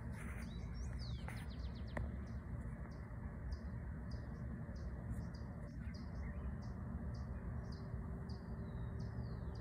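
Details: A sparkling violetear hummingbird (owner believes Colibri coruscans), feeding then resting in Valle de Los Chillos near Ilaló Volcano, Quito, Ecuador, gives sharp, high chipping notes about once a second over heavy low wind rumble.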